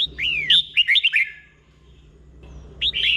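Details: Caged-bird teaching recording of a red-whiskered bulbul in the doubled 'berl' song style: a rapid run of looping, falling whistled notes, a silent gap, then a new phrase starting.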